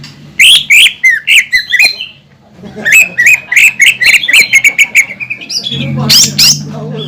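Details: Lure song of a greater green leafbird, used to rouse other leafbirds to sing: quick bursts of chirps and squeaky whistles, a short pause, then a fast stuttering series of clipped notes, ending in a loud harsh flourish.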